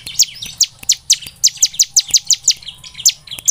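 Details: Bar-winged prinia song used to stimulate singing: a steady string of sharp, high, downward-slurred chirps, roughly three per second, over a quiet background.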